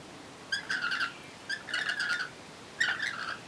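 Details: Lorikeets eating oranges on a back deck give three bursts of harsh, rasping, shrill chatter, each about half a second long and roughly a second apart, with quiet background noise between.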